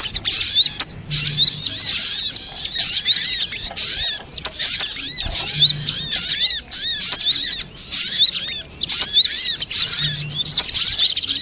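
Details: Spiderhunter, sogok ontong, in a lure recording for trapping birds: dense bursts of shrill, high, chattering twitters in runs of one to two seconds, with lower slurred arched notes repeated through each burst and brief gaps between them.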